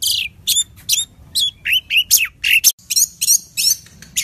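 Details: Orange-headed thrush, a kept songbird, singing a lively, varied run of high, sweet notes: slurred whistles, chirps and trills, about three a second, with no other sounds.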